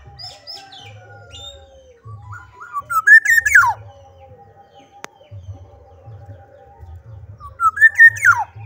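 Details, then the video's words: Black-naped oriole singing vigorously: two rich, fluty phrases about five seconds apart, each climbing through slurred whistles and ending in a steep downward sweep, with a low hum and a single sharp click between them. "kepodang gacor"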